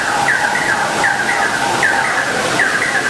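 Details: Fire-tufted barbet pair singing together: descending slurred notes near two kilohertz, each followed by a second note, repeat about every 0.75 seconds, with a fainter lower note underneath, over a steady broadband hiss.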